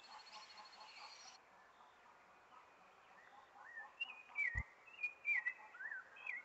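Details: Sabiá thrush song at spring's arrival: faint, quiet start, then louder fluting whistled phrases with slurred downward and upward turns in the second half. A single sharp click is heard.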